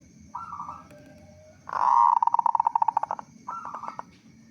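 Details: Local zebra dove with a big voice, in full song, used to prompt other doves to sing. A soft trilled phrase opens, then a loud, rapid staccato series of cooing notes that slows and fades, then another soft trill. Low background hum.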